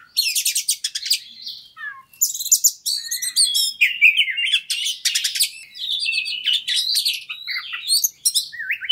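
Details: White-rumped shama singing hard, a song used to provoke a fighter bird: rapid buzzy trills, harsh chattering bursts and descending whistles, delivered almost without pause.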